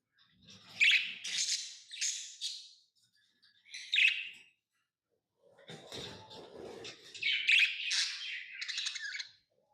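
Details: Tame pet lovebirds chirping: shrill chirp bursts, a silent gap, then more chattering chirps over a soft rustling sound.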